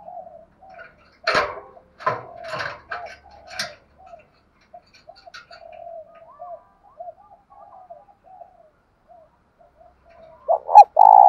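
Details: Spotted dove calling in the thổ sấm voice style to rouse decoy birds. Sharp knocks and clatter open the recording over soft, low, repeated coos, and a loud rolling coo phrase ends it.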